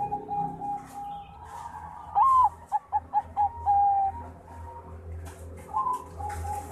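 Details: Bangkok zebra dove, a contest champion, singing: a steady low coo opens, then a sharp rising-falling whistle, three or four clipped rhythmic coos, a long even note and a final rising phrase.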